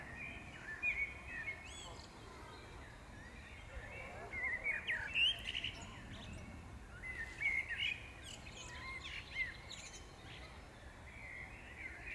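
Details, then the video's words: Spring chorus recorded in May 2016 at the Powsin Botanical Garden: bright chirps, trills and twittering phrases come in irregular bursts from more than one bird, over a persistent low background rumble. "śpiew ptaków maj 2016"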